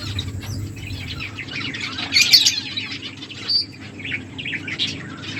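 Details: Finches chirp while eating: a flurry of high twittering notes peaks midway, then scattered short chirps follow over faint low background noise.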